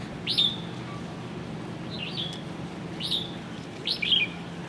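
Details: Red-whiskered bulbul (Pycnonotus jocosus), introduced species on O'ahu, Hawaii: four short, bright, whistled notes, each quickly rising and falling, spaced about a second apart over a low background hum.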